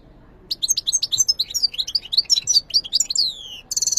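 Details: European goldfinch song: after half a second of quiet, a dense run of quick, high twittering notes and short slurred whistles, with a few downward-sliding notes near the end and a bright buzzy burst to close.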